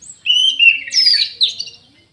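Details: Orange-headed thrush, singing energetically: a steady whistled note leading into a buzzy, wavering warble that climbs high and trails off into silence.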